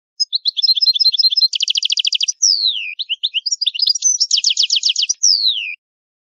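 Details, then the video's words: Italian goldfinch in full old-style song: continuous bright twittering, two fast buzzy trills of evenly repeated notes, and long descending slurred whistles, sung almost without pause for about five seconds. "Il canto del cardellino italiano ,il vecchia canto"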